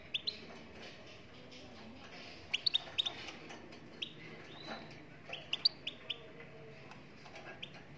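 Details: Moroccan goldfinch singing: sparse, short, high chirps scattered through the clip, a few notes close together near the middle and end, over a steady low background hiss.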